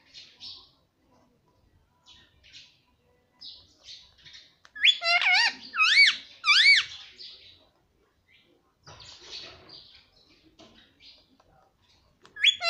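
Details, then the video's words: Talking parrot, soft scattered chatter, then a run of four loud, wavering, up-and-down syllables in the middle. Quiet murmuring follows, and another loud note comes at the very end. "parrot talking papa || parrot talking mummy"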